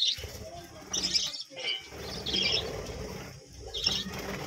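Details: Budgerigars from a small colony kept at a village home, chirping. Bright, warbling chirp bursts come in clusters about a second apart, over a low rumbling background noise.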